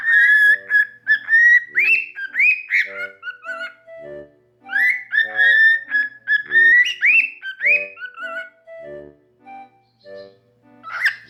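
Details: Pet cockatiels, one normal pied and one albino, awake and whistle assorted tunes including the Mickey Mouse March into the owner's ear indoors: long phrases of clear rising whistles with buzzy overtones, a brief pause, then the melody repeated.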